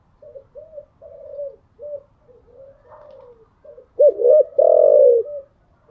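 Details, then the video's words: Spotted dove cooing in the morning, a kept cage bird: soft, low hooting notes, then two loud, throaty coos near the end, the last one long and slightly falling. "Tiếng chim gáy buổi sáng"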